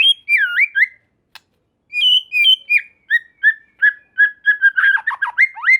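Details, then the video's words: White-rumped shama song as a lure for rival shamas: fluty swooping whistles, a pause, then quickening sweet notes building into a dense, tumbling run of varied phrases. "Murai Batu Lain Dijamin Langsung Respon dan Nyambar Bunyi, Coba Saja Putar || Voice of Murai Batu"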